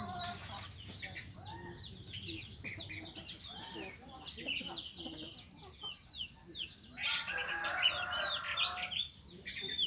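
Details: Orange-headed thrush in the morning, its ngeplong song used to coax reluctant thrushes into singing: a long, busy stream of short chirps, whistles and scratchy notes that swells into a dense, louder burst near the end.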